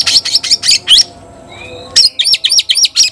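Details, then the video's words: Challenging call of a white-rumped shama summoning a rival to fight: a fast series of high ringing notes, about four per second, a quiet pause with a soft whistle, then another rapid burst. "Teriakan KACER panggil lawan tarung"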